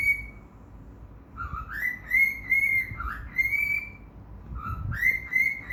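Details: A male Cockatiel, singing to his cage, gives a run of clear whistled phrases, some rising and some held steady.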